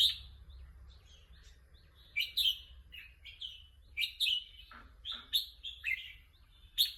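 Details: Red-whiskered bulbul, kept as a competition songbird and shown wanting to compete, singing repeated short chirpy whistled phrases, some sliding downward, bursts coming every second or so over a faint low hum.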